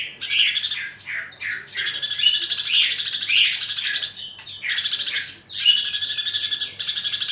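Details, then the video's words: Greater green leafbird in a full fighting song used as training material, dense chattering bursts of high buzzy and twittering notes, loud phrases separated by short pauses, with little background noise. "Masteran burung cucak ijo full greja tarung"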